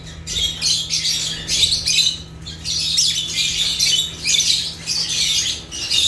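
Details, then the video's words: Lovebirds (Agapornis, African) calling almost continuously: high, raspy, squeaky chirps and squawks in overlapping bursts, with a constant low mechanical hum in the background. "Rare African Lovebirds (Agapornis) | Natural Chirping Sounds"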